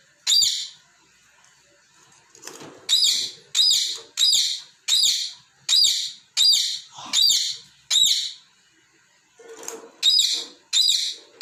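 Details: Parrot kept as a pet, playing with toy balls and scolding them for moving; long bursts of harsh high chirps about every 0.6 seconds, broken by short pauses with soft rustling.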